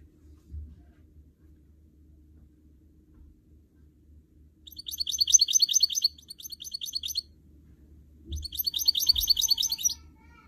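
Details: Goldfinch mule, a canary-goldfinch cross, kept as a trained song bird, gives two separate bursts of high, rapid twittering trills, each about two seconds long, after a quiet start with faint low background thumps.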